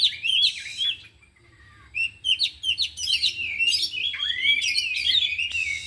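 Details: Four captive oriental magpie-robins sing their isian during afternoon training; whistled phrases, a lone falling note, then rich varied warbling with rising and dipping slurs.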